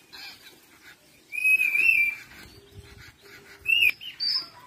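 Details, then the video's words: Long-tailed shrike singing: a few short whistled, slightly wavering notes at mid-high pitch with pauses between them, ending on a thin higher note, over a steady hissing background. "Suara original burung cendet"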